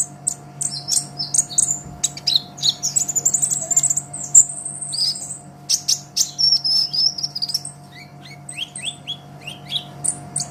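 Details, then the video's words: Olive-backed sunbird, a long master recording for songbirds: shrill chirps, extended high trilled stretches and thin wavering whistles, later sparser scattered notes, over a steady electrical hum. "Suara Kolibri Ninja KONIN GACOR Untuk Masteran Kicau ! Konin Ijoan Gacor"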